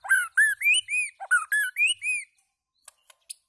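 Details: White-rumped shama singing loudly, a run of about ten rich arched whistles with strong overtones, delivered rapidly, then a pause and three sharp clicks.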